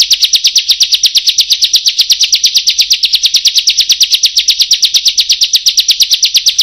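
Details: Bar-winged prinia in 'buka paruh' (open-beak) calling style, used as a lure to stimulate and train other songbirds: a fast, steady stream of sharp high chips, about three per second, unbroken throughout, with no other sounds.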